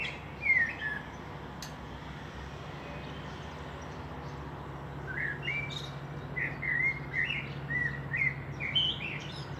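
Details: Common blackbird singing in Meschede, Germany, 18 May 2021, with a fieldfare pair around; an opening whistled note, a quiet gap, then a run of clear fluty warbled notes and squeaky high twitters over faint hum.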